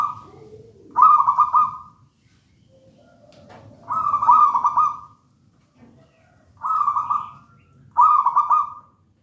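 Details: Local wild zebra dove from a raja banana plant nest in full song: four quick, stuttering, purring coo phrases, each under a second, coming every two to three seconds, with a faint lower coo near the start.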